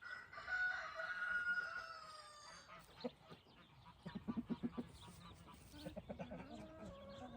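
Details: Evening rooster among a flock of hens, guarding them as they scratch; a sustained, even crow opens the recording, followed by scratching, soft clucks and rustling.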